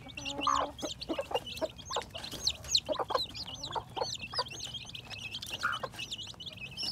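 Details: Spring 2021 hatching chicks peep in a dense run of high, quick, slurred cheeps, with one brief lower cluck early on and intermittent clicks and rustles.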